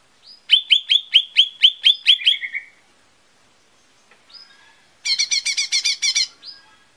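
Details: Lesser green leafbird lure song meant to prompt singing: a fast series of about nine sharp, downward-slurred notes, a quiet gap with a faint note, then a dense buzzy trill.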